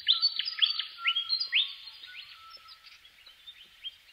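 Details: Willie wagtail starts with loud, fast rising whistles that slow to spaced upslurs and fade into a soft, intermittent twitter.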